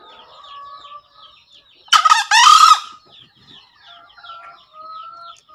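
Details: Green junglefowl, recorded as a daily training call for freshly caught or reluctant birds, gives one loud two-part crow: a short rasping note, then a longer hoarse buzzy phrase. Softer twittering and whistles from other birds continue around it.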